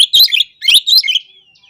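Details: Ngobra-style song of an Oriental magpie-robin, meant to challenge opponents. Two loud, dense bursts of shrill chattering notes, then a thin fading whistle.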